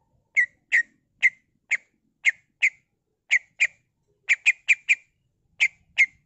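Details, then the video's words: A greater green leafbird in full voice, its song said to be filled with imitations: evenly spaced, sharp ticking notes, some doubled or in quick runs of four, repeated roughly twice per second. "CUCAK IJO GACOR BONGKAR ISIAN NGENTROK PANCINGAN CUCAK IJO GACOR FULL ISIAN"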